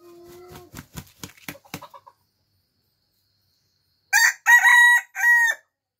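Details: Rooster crowing in the morning: a few soft clucks and short taps, two seconds of silence, then a loud harsh crow broken into four rising and falling syllables lasting about one and a half seconds.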